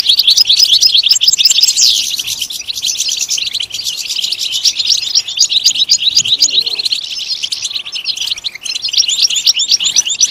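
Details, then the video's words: European goldfinch song, a sustained, dense stream of rapid chirps and trills with an upward sweeping note early on, going on for about ten seconds to stimulate goldfinches to sing. "Comprehensive guide to stimulating and singing the goldfinch"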